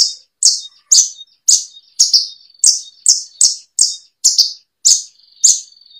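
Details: Bushlark training song: crisp high chirps repeated about twice a second, some doubled, over a thin steady whistling tone.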